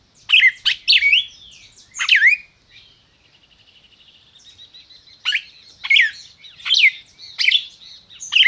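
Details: Brazilian captive-bred red-crested cardinal singing: quick bursts of loud, ringing down-slurred notes, then a soft buzzy rattling trill, then another run of bright, repeated phrases.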